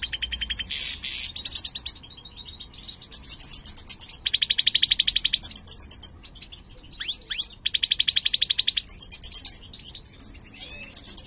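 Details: Caged mutant European goldfinch of the large 'mayor' form, described as a poor singer, singing: high, rapid buzzy trills and bright twittering notes in bursts of one to two seconds, separated by brief pauses, with sharp rising chips between phrases.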